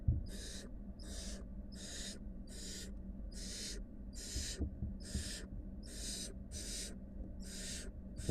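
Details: Barn owl nestlings, five wild young with their mother; a steady run of about twelve breathy hissing screeches, each half a second long, repeated regularly over a low hum.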